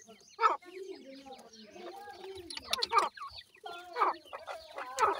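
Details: Mother grey francolin, known as teetar, feeding her chicks: clear low clucks and drawn-out murmuring notes, with sharper bright calls about once a second and faint high chick peeps between them.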